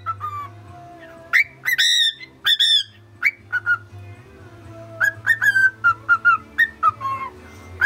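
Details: A male cockatiel whistles a bright, tuneful melody while trying to sing the "Mickey Mouse March", in clear rising and falling notes and short phrases repeated in a quick march-like rhythm, with a low steady hum behind.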